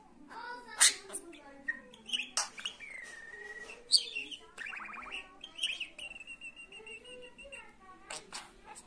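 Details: Pet budgerigar, described as spoiled, chattering in a busy warble that mixes whistled rising and falling notes, buzzy trills, sharp clicks and speech-like phrases, with barely a pause throughout.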